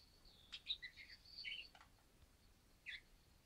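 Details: Male budgerigar, described as very active, on its first day in a new home with a flock on 14 December 2013; scattered high chirps and warbled notes, with a short burst near the end, over a quiet background.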